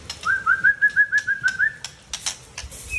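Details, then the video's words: Mature male white-rumped shama, Aceh type, from Tangse, Indonesia, delivering a loud run of about ten quick, even whistled notes on one pitch, followed by crisp clicks and a short high whistle. "Murai Aceh # Jantan Mapan Asal Tangse"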